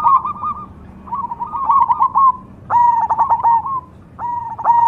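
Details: Song of a Cemani zebra dove: rapid, clipped coo trills in separate phrases. The later phrases are louder and end in a level drawn-out note, with short quiet gaps between them.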